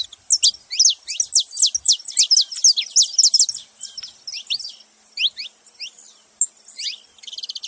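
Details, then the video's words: Saffron finch making noise: a rapid, insistent series of sharp, high, down-slurred notes for about four seconds, then spaced chirps and a short buzzy trill at the end. "canário da terra fazendo barulho"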